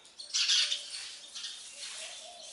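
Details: Baby sparrows being fed by a parent bird give a loud burst of shrill, high chirps lasting about half a second, followed by softer, scattered peeps trailing off.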